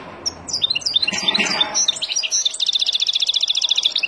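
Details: Wild European goldfinch singing for teaching young birds. Varied, chattering phrases open the song, then a long, even, rapid series of ringing notes continues steadily to the end.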